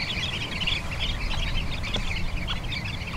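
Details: Sanderlings on Bañugues beach in Asturias, Spain, giving many thin, clipped chirps that overlap continuously, set against heavy low-pitched noise from waves and wind.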